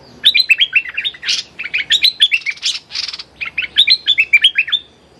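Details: A Streak-eared Bulbul, used as a decoy lure call for bird trapping, calls in fast bursts of bright, chirpy notes. Each run slurs down in steps, with harsher buzzy notes mixed in. A young female is mentioned as the captive bird, and there are no other clear sounds.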